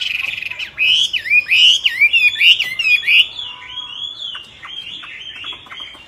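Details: Myna, wild, singing a varied run of whistled, looping notes that rise and fall, repeated roughly every half second, then a softer series of short downward notes.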